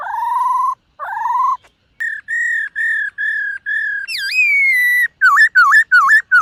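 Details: White-cheeked laughingthrush held in a cage, singing during morning voice training: two long wavering whistles, a row of six steady clear notes, a rising then falling slur, and a series of quick dipping whistles.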